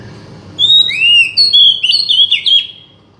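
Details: Oriental magpie-robin song for drawing out a bird that has gone quiet: a long clear whistle followed by a quick sequence of bright, sliding whistled notes that end abruptly.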